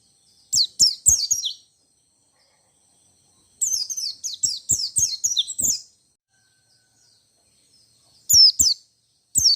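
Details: Ngalas-style white-eye song, rolling and nembak, said to make other white-eyes join in; clustered runs of high, rapid, descending twitters, a long two-second phrase mid-way, separated by silent gaps.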